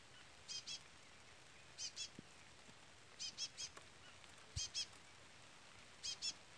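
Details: Chestnut-bellied seed finch (curió pardo) with a chick peeping throughout, linked to the Trola song style: high, thin peeps in quick pairs, repeated roughly every one to one and a half seconds over a quiet background.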